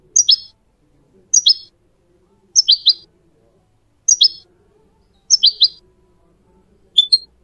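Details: Goldfinch song used to train goldfinch mules and canaries: short bright two- and three-note chirped phrases, each dropping in pitch, repeated about every second and a quarter over a quiet background.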